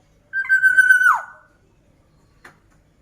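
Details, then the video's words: Black-naped oriole (kepodang mas) in active, full voice: one drawn-out, nasal, steady-pitched note lasting about three-quarters of a second, ending in a quick downward slur, then a faint short tick. Otherwise quiet. "Kicauan Burung Kepodang Mas Gacor"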